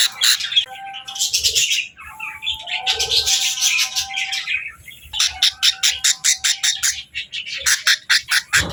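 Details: Budgies at feeding time give bursts of chirping and warbling, and a steady tone runs underneath; the second half holds a fast train of sharp, evenly repeated clicking notes.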